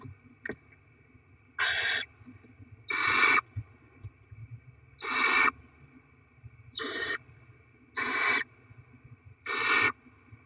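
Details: Barn owls at the nest on 07/02/2024, with rodents delivered and the young being fed: six harsh, broadband hissing screeches, each about half a second long, come roughly every 1.5 seconds over a steady low hum.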